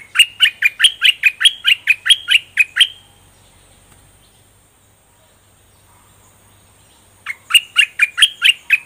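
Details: A young pet bulbul, now fully feathered, gives a fast burst of about a dozen bright, clipped whistled notes over three seconds, falls silent, then starts another quick run.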